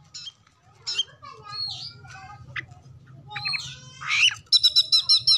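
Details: Oriental magpie-robin song used as a lure to make other birds sing, with mimicry of other species: scattered harsh notes and whistles, then a fast burst of repeated sharp trills near the end over a low hum.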